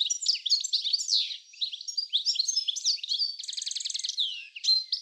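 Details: European goldfinch in an Uddel garden, the Netherlands, spring 2013: lively high-pitched twittering with a buzzy rapid trill in the middle and tinkling chirps around it.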